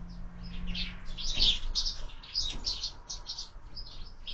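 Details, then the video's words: Breakfast at a window feeder where sparrows are fed throughout the year; dense, continuous twittering chirps, a steady low tone early on. "Воробьи в кормушке - Завтрак"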